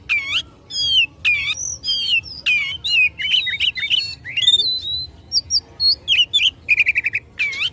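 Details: Oriental magpie-robin in fighting song meant to stir up rivals, delivering a rich medley of sweet whistles, sharp downslurred notes and a fast rattled trill near the end, loud and continuous with brief pauses.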